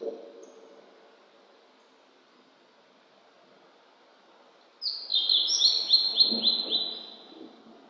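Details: Spring song of a Blue-and-white flycatcher, newly arrived in the mountains after rain on a cloudy 14°C day; after quiet, a sharp high note opens a run of rapid, evenly repeated descending whistles, with low rumbling noise underneath.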